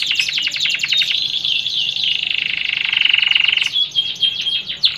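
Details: Canary singing in the Indonesian 'hacker' cengkok style, used as a pancingan lure track: loud, rapid high trills and rattling repeated notes, shifting into a steady buzzy roll, then sharp whistled notes and quick chirps.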